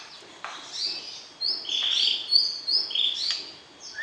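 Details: Caged white-rumped shama being paired for breeding, singing to arouse the opposite sex: a loose series of clear, high whistled phrases, some rising and some falling, separated by short pauses.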